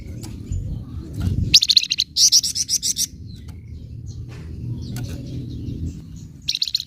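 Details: Flamboyan bird singing nyecret style to provoke rival birds: two quick bursts of harsh, high, rattling notes, a few scattered faint chips, and a final short burst, with low rumbling noise underneath.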